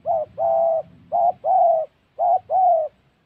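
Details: Spotted dove at a trapping site in Gia Lai, Central Highlands of Vietnam, giving three close pairs of mellow coos. Each pair opens with a clipped note and ends with a drawn-out, level one over a soft low murmur.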